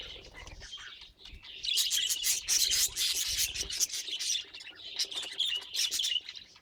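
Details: Pet budgerigar chattering in a busy stream of scratchy, buzzy chirps and squawks, bursts crowding together after a quieter start, with faint low rustling underneath.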